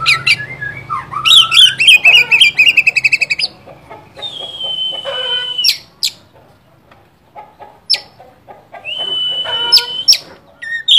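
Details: Oriental magpie-robin song used as a lure to provoke a rival bird: rapid rattling trills, then long steady whistles held level, interspersed with sharp high clicks and varied short phrases.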